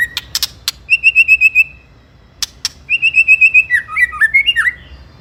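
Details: White-rumped shama song used as a lure for rival birds: clicks, then two quick trills of about six clear whistled notes, ending in looping varied whistles.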